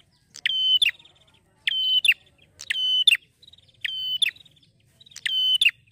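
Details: Male Bar-winged Prinia in a happy mood gives a ngeplonk-style song. Five loud, metallic, buzzy phrases, each closed by a crisp click, repeat about every 1.2 seconds with faint ticking between them.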